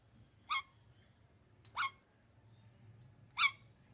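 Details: Indian ringneck parakeet chirping: three short, sharp harmonic chirps spaced about a second apart, over a faint low hum.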